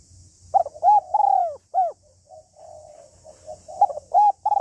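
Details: Female spotted dove calling to stimulate a male: close, loud, low cooing phrases with rolling, falling notes near the start and again near the end, with softer coos between.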